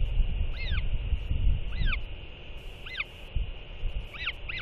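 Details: Two northern royal albatrosses calling back and forth after feeding a chick, giving arched, slightly nasal whistled calls roughly every second, with a quick double call at the end, against constant wind noise and low rumbling.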